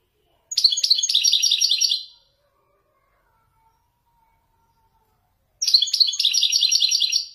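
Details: Wedani European goldfinch, a caged Moroccan bird, delivering traditional Marrakchi song descents: two separate bursts of quick, chattering twitters about one and a half seconds each, divided by roughly three and a half seconds of silence.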